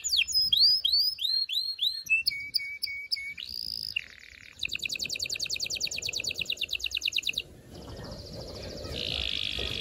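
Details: Canary singing meant to excite females and stimulate males before mating: arched whistled notes, flat tones, a low droning phrase, then fast rattling trills fading into a soft hiss.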